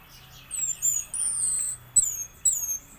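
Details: Orange-headed thrush singing in "raja patah" style: thin, high, drawn-out whistles, some held steady and some gently slurred, broken by a sharp tick and a short final phrase.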